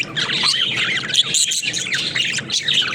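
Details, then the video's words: Budgerigars, also called parakeets, kept as a flock in a cage and playing; dense high chirps, warbles and squeaky notes overlap in lively chatter. "Watch These Happy Budgies Play in Their Cage"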